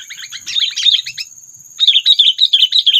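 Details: Trapping lure call of sooty-headed bulbul, meant to stir up predators: two loud runs of quick, bubbling chirps, about three per second, separated by a short pause, with a constant thin high tone behind.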